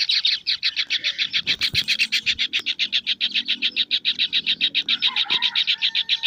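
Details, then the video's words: Kingfisher chick: a fast, steady train of short, harsh, high chirps, about three or four per second, running unbroken through the recording, with a brief thud and faint low background noise. "suara anakan burung tengkek udang"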